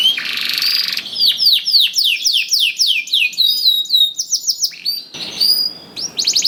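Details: Canary singing to stimulate others into song: a buzzy opening, then a series of bright descending slurred notes in quick succession, varied twittering, and a closing buzzy trill.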